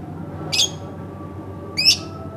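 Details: Home lovebird letting out two rasping, slightly descending screeches about a second and a quarter apart, with a faint steady tone in the background.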